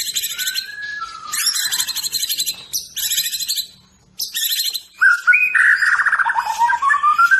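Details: Medan-type white-rumped shama song, opening with harsh buzzy chattering bursts broken by brief gaps, then shifting to clear whistled phrases that wobble and slide downward.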